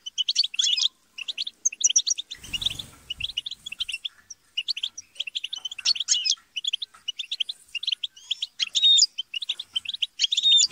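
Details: Goldfinch flock squabbling and chattering, used to stimulate singing in a kept goldfinch; steady stream of high, liquid twitters and buzzy trills from many birds, with a brief rustling noise near the start.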